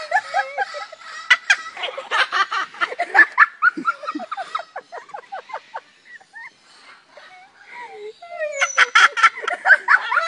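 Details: Cockatoo in a zoo, laughing and amusing visitors: dense bursts of rapid, raspy, laugh-like notes in quick succession, a quieter stretch of soft squeaky whistles midway, then a loud renewed burst of chattering laughter at the end.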